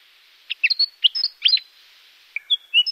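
Willie wagtail giving a quick run of bright, sweet chirps and twittering notes, then a pause and a few clear whistled phrases.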